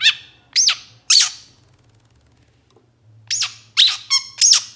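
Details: Long-tailed shrike, known locally as cendet or pentet, recorded as a lure to provoke captive birds to sing: harsh, rasping squawks in two bursts, three near the start and four after a pause, with a faint low hum behind.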